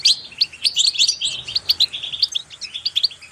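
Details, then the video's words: Goldfinch singing in a recording meant to encourage kept goldfinches to sing: rapid bright chips and tinkling notes in quick irregular succession, steady and high-pitched throughout, no other sounds. "increasing the enthusiasm of the goldfinch to song"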